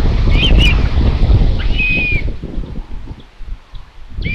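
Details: Common buzzards at a nest in Tiszalök, Hungary, on a solar-powered nest camera, 27 May 2022 around 12.23, as the mother brings another chick in for lunch. Two short whistled squeals, then a longer downslurred whistle over steady wind rumble.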